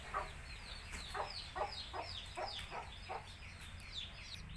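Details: Tamil country chickens with chicks: lower, husky clucks repeated irregularly, blended with high, slurred chick peeps, over steady low background noise.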